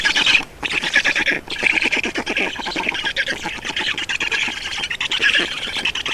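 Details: Estonian black storks being fed at their nest on 31 May 2019 at 14:53. Grating, buzzy chatter surges in quick pulses, with a couple of short gaps near the start.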